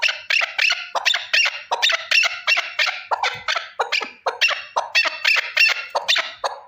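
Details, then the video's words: A lone male partridge calls in an unbroken stream of loud, raspy chuck notes, about three per second, with a faint low thump midway. "Овози кабки нар Голос Куропатка صوت الحجل Partridge's voice صدای کبک"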